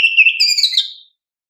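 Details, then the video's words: Kacer, the oriental magpie-robin, used as lure song for young caged birds: one short phrase of pulsing whistled notes followed by a higher bright slurred whistle, silence after. "Pancingan Kacer GACOR"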